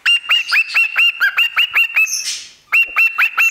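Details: Parrot performing a song at a microphone, giving a quick run of ringing, rising whistled notes, a brief rasping noisy passage, then more of the same sharp upslurred whistles.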